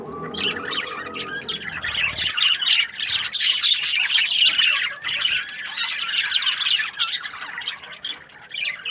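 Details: Budgerigars in breeding pairs, fast harsh squawks and chirps repeated rapidly in a busy chatter, following a short low hum at the start.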